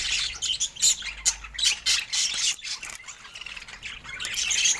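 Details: Budgerigars sharing fruit give bursts of shrill twittering and squawky warbles in uneven pulses, the chatter swelling louder toward the end.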